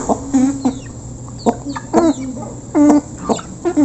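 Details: Close recording of a flock of local chickens eating while being fed: spaced single clucks and short nasal calls, some harmonic and drawn out, separated by quiet gaps.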